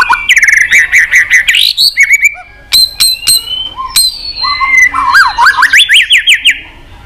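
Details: White-rumped shama in fierce competition song, varied voices: loud rising trill, sharp clicks, clear high whistles and rapid zigzag warbled runs, delivered in a dense, continuous stream.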